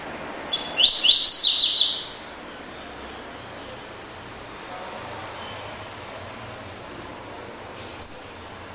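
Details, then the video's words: Classic "tui tui" song of a double-collared seedeater, a quick burst of high, sweet whistled and slurred notes over about one and a half seconds, then a lull and one short sharp high note near the end. "COLEIRO DE GOLA TUI TUI CLÁSSICO"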